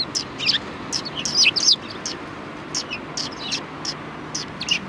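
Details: Sparrows at a Tenmangu shrine, recorded 4 March 2020, chatter in overlapping high chirps, a cluster near one and a half seconds, then sparser tweets over low steady background noise.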